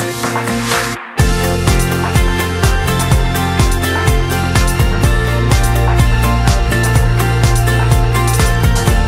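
Loud electronic dance music with a steady thumping beat and bright synth layers, briefly cut by a short gap near the start, with no animal sounds.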